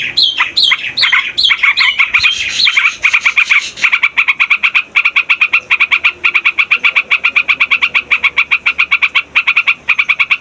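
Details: Yellow-vented bulbul, loud lure for wild birds: bright bubbling whistled phrases sliding downward open the clip, then a long unbroken run of quick, clipped chattering notes, about five per second.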